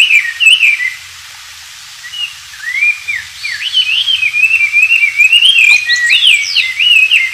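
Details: Oriental magpie-robin singing strongly in the wild, captured as master song for white-rumped shamas. A few whistles, a pause, then a long, flowing string of looping, warbled whistled notes with occasional sharp high slides.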